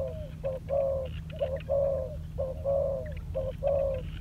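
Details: Spotted dove on the ground, a decoy bird under training, delivering rhythmic deep coos. Clipped notes alternate with longer, smooth ones, about one pair every second, with faint chirps and a low hum behind.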